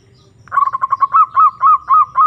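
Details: Zebra dove (perkutut) calling to a rival as a lure recording: a quick stutter of short notes that slows into longer, rising, hooked coos repeated about every quarter second, with faint low rumble behind.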